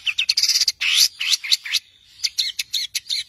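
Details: Long-tailed shrike in 'tembakan' master song for tutoring songbirds, delivering dense bursts of varied high notes, including rapid chattering trills, hooked whistles and clipped chips, with a brief pause midway before the notes resume.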